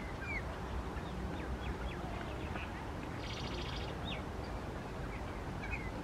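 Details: Several Indian mynas perched high on the large leaves of a palm tree in Australia, where they are introduced; scattered short whistled sweeps and chattering notes, one brief buzzy rasping burst, over steady low rumbling background noise.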